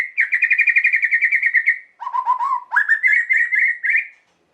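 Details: White-rumped shama song used to rouse emotion: a long rapid rattling trill at steady mid pitch, a lower stuttering trill, then a rising trilled phrase, continuous for four seconds.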